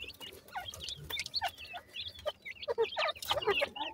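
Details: Black francolin chicks, a group feeding and playing, utter dense high cheeps and short squeaky notes in quick, irregular bursts, mixed with sharp clicks and pecking taps.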